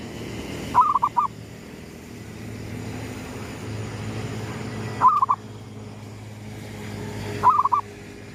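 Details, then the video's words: Gedong mengo zebra dove manggung at daybreak, a lure sound: three bursts of rapid, bubbling coos, each of three or four notes, separated by gaps of two to four seconds, with low rumbling noise. "suara pikat perkutut gedong mengo,manggungnya pas menyongsong mentari terbit"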